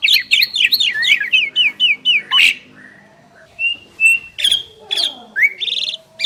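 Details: Prized pair of Asian pied starlings in duet: a fast repeated series of zigzag whistled notes, then pauses with single clear whistles, a harsh rasp and rising squeaks.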